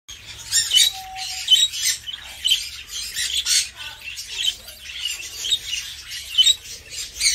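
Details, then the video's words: Budgerigar chick begging while a parent budgerigar feeds it: harsh, raspy, hissing bursts in irregular pulses, rising and falling in loudness about once a second, with one short clear whistled note near the start. "Budgerigar Parrot Feeding To Baby Budgeri"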